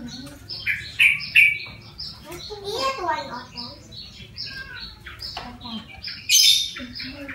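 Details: Wild-caught yellow-vented bulbul, tamed and kept for one month, now singing: bright whistled and chattering phrases with sharp high notes, some lower warbled notes in between.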